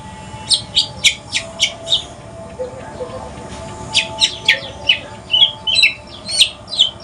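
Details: White-rumped shama of the Aceh pastol type, a mutation bird, calling in the evening with sharp, evenly spaced chirps about twice a second, pausing, then resuming with mixed chirps and short whistles.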